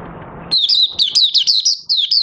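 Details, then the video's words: Caged oriental white-eye in open song, 25 August 2022, following three months sleeping under an open cloth. A continuous string of quick, high, rising-and-falling twittered notes, loud and close, begins abruptly after a short stretch of low hum. "Mata Puteh Raja Buka Sing"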